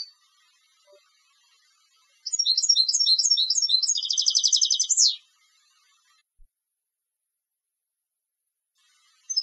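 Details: Contest goldfinch delivering one song burst of high twittering notes that runs into a fast, rattling trill and closes with a descending slur, surrounded by silence.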